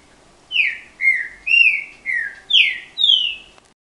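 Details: Trinca-ferro (Green-winged Saltator), a kept songbird whose strong, loud song is called 'canto guerreiro', delivers six rich whistled phrases. Each phrase swoops down, and they come about every half second in a steady, ringing sequence.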